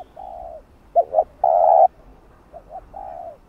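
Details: Spotted dove cooing to lure wild doves for trapping, in the 'thúc gù' calling style. A soft drawn-out coo, then a loud double hoot and a strong, long, rough coo, followed by a quieter repeat of the same pattern.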